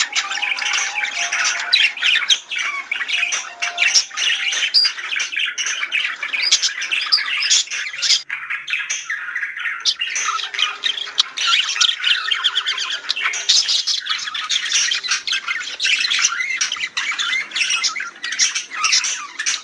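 Budgerigars warbling in a dense, chattering stream of high chirps, squawks and clicks.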